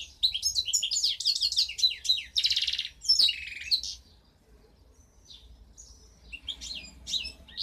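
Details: Goldfinch hybrid born in 2015 delivering a rich twittering song with a buzzy trill, then pausing for about two seconds before a few soft scattered chirps and a last short burst.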